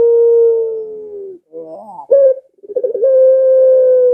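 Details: Barbary dove cooing as a lure for pet doves at home. A long, steady, low note fades out, then a wavering rising phrase, a brief accented coo, and a stuttered start into another sustained hoot.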